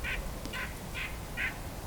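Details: A White-breasted Nuthatch, unusually talkative, gives four nasal, toy-horn-like notes about every half second over low rumble, in winter cedar-poplar-birch-maple woods during the Hanover-Walkerton Christmas Bird Count, with Black-capped Chickadees nearby.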